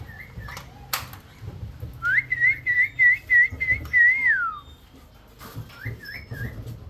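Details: Pet cockatiel whistling along with its owner, as it does daily: a run of bright, wavering notes, one after another, mimicking a tune.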